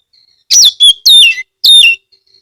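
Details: Oriental magpie-robin (kacer) from Kebumen, Central Java, Indonesia, singing to lure other magpie-robins to sing along; a quick run of four loud, high notes with falling whistled slurs.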